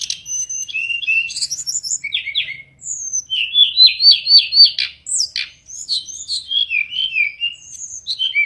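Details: Mangrove blue flycatcher singing vigorously: a long varied warble of bright slurred whistles, including a fast run of repeated rising notes, over a quiet, clean background.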